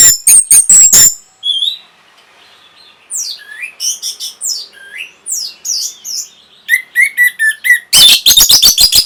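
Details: Orange-headed thrush song for stirring breeding condition and drawing an answer. Fast, sharp notes open, then a quiet spell, soft varied mimicking twitters, and a dense closing run of loud, rapid notes.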